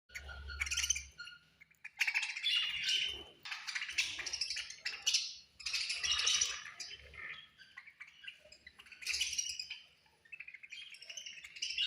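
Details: Budgies at feeding time chattering in bursts of dense, high, scratchy chirps and warbles, with short silent gaps between the outbursts and faint low thumps underneath.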